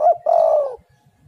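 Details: Single spotted dove coo, part of a lure for making other doves call: a brief note, a tiny gap, then a sustained low coo that slides gently downward.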